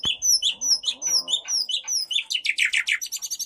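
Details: Provoking song of a white-rumped shama, the 'cess plengg' type: quick, high, repeated downslurred whistles, then a rapid chattering run of bright notes toward the end.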